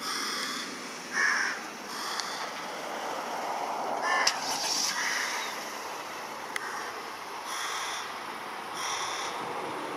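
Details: Carrion crow fledgling in Japan, mid-June 2016, begging its parent for food at a river as the adult searches rubbish; scattered hoarse caws, a few louder, spaced irregularly against continuous rushing noise.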